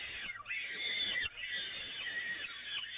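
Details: Peregrine falcons at the Evoluon nest, fed from the grating on 13 May 2018; a steady, harsh, wheezy screaming fills the clip with one brief dip near the middle.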